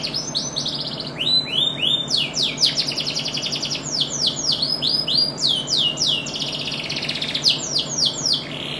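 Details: Canary singing: a fast, continuous run of high, descending whistled notes, rolled trills and buzzy phrases, the motifs changing every second or so, over a faint steady low hum.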